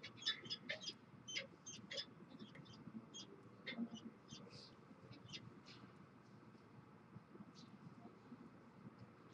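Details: A Peregrine falcon pair at their nest on Evanston Public Library, Illinois, inspecting the nest and bowing to each other at 5 pm, giving short, harsh, high chips in quick uneven bursts, then more scattered, over a low rumble.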